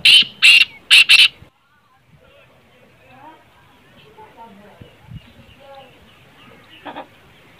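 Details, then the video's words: Black francolin calling, a sound played so a kept francolin gets excited and starts calling: four loud, harsh, rasping bursts in quick succession, then faint low murmurs and one softer grating note near the end. "kale teetar ko jaldi mast kerne wali awaz|kale tetar mast awaz| تیتر بولائی نہیں کرت یہ آواز سنائیں"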